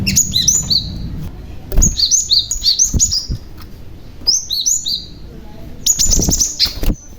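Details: Young cinereous tit, used as a lure to draw other tits into calling, giving bright high whistled notes that slur downward, mostly in paired phrases, repeated in bursts separated by short pauses, with low thumps and clicks in the background.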